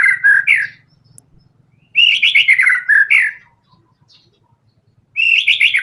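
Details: White-rumped shama singing vigorously in a full fighter style with varied fill-in phrases: loud, rich warbled bursts near two kilohertz, given in two phrases with a pause, then a third phrase starting.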